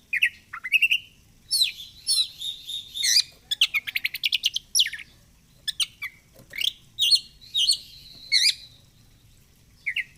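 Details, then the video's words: Oriental magpie-robin in energetic fighter-style ngobra song: bright whistled phrases mixed with fast buzzy rattling bursts and sharp chirps, delivered in quick varied runs with brief pauses. "Kacer gacor fighter//ngobra Joss//terapi untuk Kacer susah bunyi"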